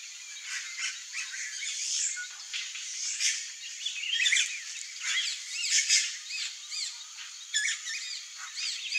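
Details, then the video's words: Red-rumped cacique, a bird that weaves a bag-shaped nest, heard in a busy chorus of varied whistles, squeaky rising and falling notes and short chatters, many overlapping calls throughout. "RED-RUMPED CACIQUE sounds (CACICUS HAEMORRHOUS), GUAXE"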